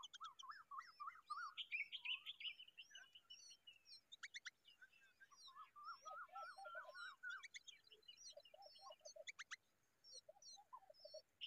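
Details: Common babblers raising a baby chatter in quick, busy runs of short notes, with thin, high whistled chirps from several other small birds mixed throughout.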